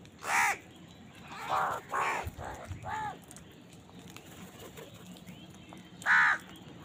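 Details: House crow calling while eating and competing for food; a loud caw, a string of softer overlapping caws, then after a quiet spell a final loud flat caw.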